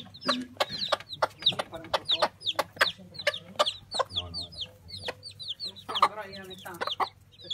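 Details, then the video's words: A chick peeps loudly: high, sharply falling chirps repeated several times a second, mixed with sharp clicking taps, perhaps pecking, and a brief lower fluttering sound. "Il verso del pulcino"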